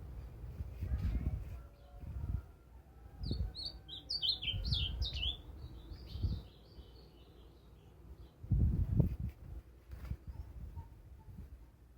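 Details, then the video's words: Ultramarine grosbeak singing a short warbled phrase of clear, sliding whistled notes in the middle of the clip, with low rumbling background noise and intermittent knocks. "Azulão sheike"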